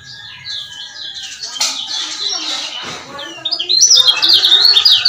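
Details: Male lemon-bellied white-eye from Lombok, used as a lure to excite silent males into singing; faint twittering gives way after three seconds to a loud burst of fast, high, zigzagging chips and trills.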